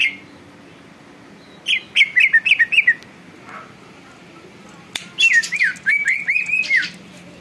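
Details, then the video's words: Vigorously singing greater green leafbird, its song said to provoke rival birds to answer and grow agitated; two quick runs of sharp up-and-down chirped notes separated by a pause, quiet background. "cucak ijo gacor bikin burung lain ikut BUNYI dan EMOSI"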